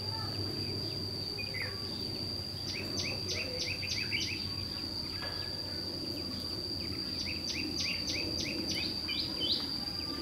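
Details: Red-whiskered bulbul, white-cheeked, singing a combative challenge song at a fight trap where a lure bird provokes rivals: bursts of rapid, bright chirped notes repeated about three per second in two runs, over a steady shrill insect whine and low rumbling background.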